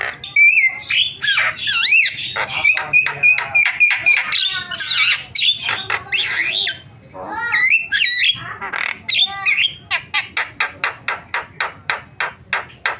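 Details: Starling calling used as a lure to set other starlings calling: a dense jumble of harsh squawks, warbled whistles and rattles, finishing with a fast train of short clipped notes.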